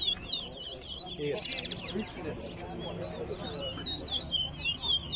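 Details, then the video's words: Towa towa (chestnut-bellied seed finch) in a singing race at Lusignan Ground, Guyana: rapid looping whistles and trills that keep going while a man counts aloud and other people talk in the background. "Towa Towa Race"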